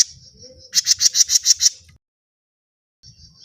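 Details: Grey-cheeked bulbul, a recording played to lure birds. A thin buzzy note leads into a fast harsh series of seven rasping notes lasting about a second, followed by silence and another faint buzzy note.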